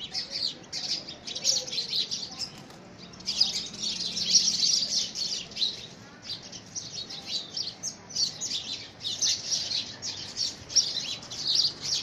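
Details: House sparrows battling one another for possession of a homemade nest box in the first week of February 2017; dense, high, scratchy chirping pours out almost nonstop, swelling in loud bursts with brief dips between.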